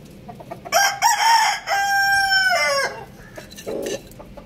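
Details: Rooster crowing, one of two: a loud harmonic-rich cock-a-doodle-doo with a short rising opening, then a long sustained, slightly falling drawn-out note ending near three seconds, followed by softer clucks.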